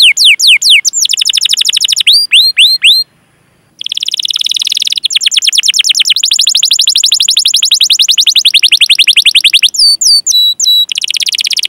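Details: Long rolling canary song used as a training lure for young canaries: fast high repeated notes, hooked whistled chirps, a brief silence, then sustained rapid trills broken by a short burst of sharp upslurred notes.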